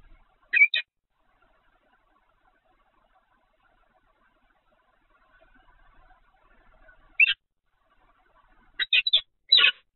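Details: Peregrine falcon at the Evoluon nest site, Netherlands, recorded 7 February 2020 at 15:55: a brief harsh double note, long quiet stretch with faint hum, then a cluster of rasping, chattering bursts near the end.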